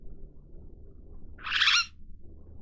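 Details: Long-tailed glossy starling (Lamprotornis caudatus) giving a single harsh, raspy screech lasting about half a second, loud and broad-toned, over a faint low background rumble.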